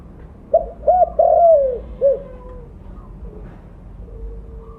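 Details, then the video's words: Loud mottled spotted dove calling as a lure: one cooing phrase of two short hoots, a long falling coo and a clipped end note, then quiet with faint hum and a soft tone. "Terukur blorok gacor suara besar cocok untuk pancingan bunyi."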